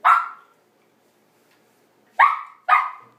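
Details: Umbrella cockatoo, one of three pet birds, gives three short, harsh, dog-like barks: one, a long pause, then two close together, in an otherwise quiet room; the bird is said to bark a lot already.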